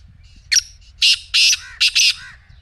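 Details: Black francolin call, used to get a silent partridge calling: a quick grating phrase of five harsh, buzzy notes, the first thin and clipped, the rest loud, rasping and close together, with a quiet background.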